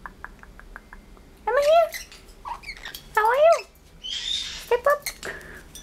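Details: Indoor pet male blue-headed parrot, a talker known for phrases like "good boy" and "what do you want?": short harmonic speech-like syllables rising and falling in pitch, a brief harsh squawk, then quick chirpy notes.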